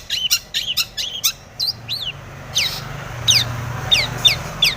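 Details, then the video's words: Long-tailed shrike song full of varied fill, used to rouse other shrikes: rapid clustered chirps at first, then spaced, clear down-slurred whistles repeated every half second or so. "SUARA cendet gacor full isian TOMICENG pancingan cendet agar bunyi"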